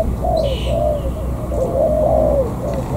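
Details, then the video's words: Spotted dove, a freshly caught wild bird from the An Giang border crossing in Vietnam, gives a run of mellow, low coos linked into a flowing phrase, with heavy low background hum. "Cu gáy bổi thổ cửa khẩu An Giang."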